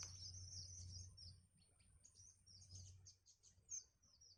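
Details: Nestlings being fed by their mother beg with rapid, high-pitched squeaks, first in a dense continuous chatter, then as separate short chirps, over a low background rumble.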